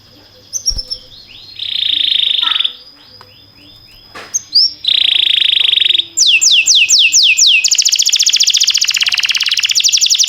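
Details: Canary song used for training canaries, timbrado style: a long buzzy rolling tone, scattered chips, another sustained rolling tone, then rapid sweeping notes leading into a very fast high trill, with a faint low hum.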